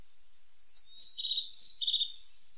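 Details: Tit in song: three piercing, high downslurred notes in quick succession, each ending in a faint buzz, against near silence.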